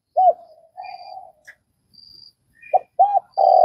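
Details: Vietnamese spotted dove giving a soft arched hoot and drawn-out murmur, then after a pause more hoots ending in a sustained loud coo; faint high chirps and a brief soft buzz between.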